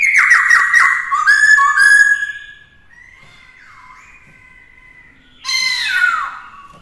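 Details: Black-throated laughingthrush singing in a cage to teach a young bird: loud, rich whistled phrases with descending slurs, a pause with quieter gliding whistles, then another strong burst of notes.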